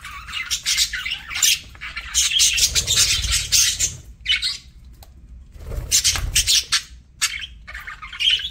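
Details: Budgerigar eating at mealtime: long stretches of dense scratchy crunching broken by short pauses, with low muffled knocks under the louder bursts.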